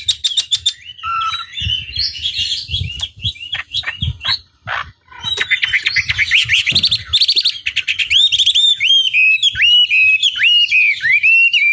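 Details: Hwamei singing in a lure recording meant to make an opponent respond: quick trilled notes, sharp buzzy chatters and scattered clicks, then a long run of bright, rapidly repeated downslurred whistles.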